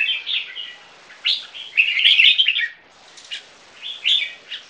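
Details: Two caged three-month-old Viet-Thai crossbreed red-whiskered bulbuls in a singing contest: a loud, dense warbling burst in the middle, then short bright chirped phrases with brief silences between them.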